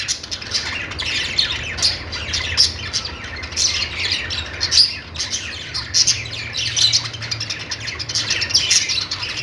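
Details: Budgies sound contented, chirping: an ongoing jumble of squeaky notes, rasps and sharp clicks from more than one bird, with a continuous low drone behind.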